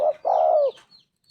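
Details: Single coo phrase of a Spotted Dove (tekukur): a short low note, brief gap, then a long smooth croon sliding gently downward, ending with a faint chirp from another bird.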